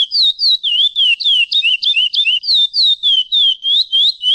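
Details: Praia clássico song of the chestnut-bellied seed finch (curió): a brisk chain of clear, high whistles, some sliding down and others curling upward, about three notes each second, sung continuously over silence.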